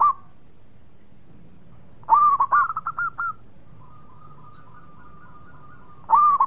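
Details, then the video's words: Zebra dove of a local strain singing actively, giving a loud burst of quick rolling hooked coos followed by a long faint steady trill-like cooing, then another loud rolled note. "Perkutut Lokal Gacor Suara Mewah"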